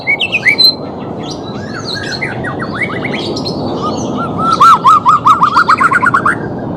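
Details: White-rumped shama song, used to train a bird reluctant to sing: varied whistled and slurred phrases, then a fast run of about a dozen repeated rising notes near the end, over steady low background noise.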